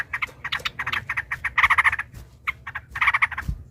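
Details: Yellow-vented bulbul fighting song, long 'ropel' rolling phrases to stir other bulbuls: fast chattering notes in rolling runs, fairly soft, over a low background hum.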